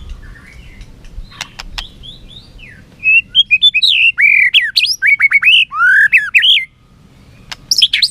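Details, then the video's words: White-rumped shama singing competitively while flicking its tail: after a few faint clicks, a rapid run of loud whistled and slurred notes, mostly rising and falling between mid and high pitch, ending in sharp high chips. "Chòe lửa hót đấu, đập đuôi cực hay."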